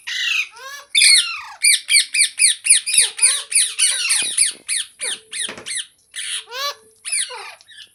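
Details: Green parrot repeating sharp, down-slurred squawks about twice a second in a steady run, then slowing to scattered harsh calls near the end.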